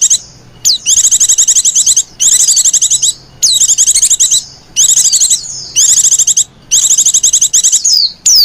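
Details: A female white-eye, used to draw in white-eyes, utters long runs of rapid high chattering trills, each about a second, separated by short gaps and the odd falling whistle.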